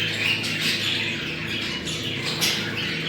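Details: Continuous warbled budgerigar chatter from a mating-call recording meant to bring birds into breeding: busy, buzzy twittering with short squeaks throughout and a faint background hum.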